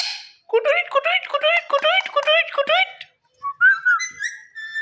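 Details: Indoor Indian ringneck green parrot, a pet, giving a fast string of about ten harsh, ringing, downward-bending squawks, a short silence, then a rising whistled note and a held nasal tone.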